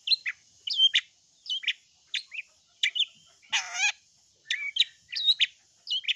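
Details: Long-tailed shrike delivering a varied string of quick high chirps and slurred whistles, broken midway by one harsh, rasping burst, with otherwise quiet surroundings.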